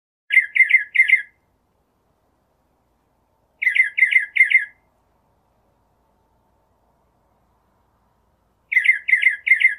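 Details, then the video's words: Northern mockingbird singing in nature: bursts of three quick harsh squawky notes repeated, each burst about a second long, with long silent pauses between. "Birds Singing - Northern Mockingbird"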